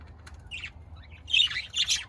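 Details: Budgerigars chirping: a brief high squeaky note, then a louder burst of scratchy, warbling chatter over faint low background hum.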